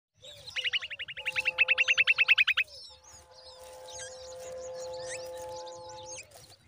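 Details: Two common babblers together: a fast run of about twenty sharp, even notes over two seconds, then scattered squeaky chatter, with a steady low humming tone underneath.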